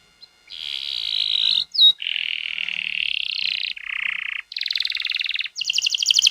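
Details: Rolling canary song used as a lure to get young canaries singing fast. Successive sustained buzzy trills change pitch step by step, with one brief whistled upslur and a final higher pulsing roll.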